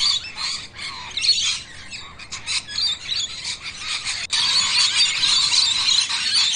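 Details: Pair of rainbow lorikeets sharing a drink, giving dense, grating squawks and screechy chatter in rapid uneven bursts, then a louder, steadier stretch of harsh noisy calling through the final two seconds.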